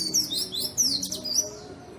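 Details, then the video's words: White-eye song used to stimulate white-eyes that are reluctant to sing: a fast run of thin, high twittering notes sweeping up and down, dense in the middle and fading toward the end, with a soft low hum beneath. "burung pleci gacor!!! efektif untuk pancingan dan masteran pleci yang malas bunyi"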